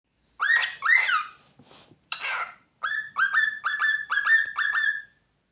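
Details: A male pet cockatiel (Nymphicus hollandicus) gives clear, rising wolf whistles, with a couple of harsh raspy notes in between.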